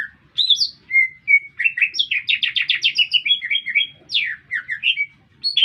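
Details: Green leafbird in full song amid a city, mixing clear sustained whistles with dense rapid trilled chirps and sweeping downslurs, quite loud and varied.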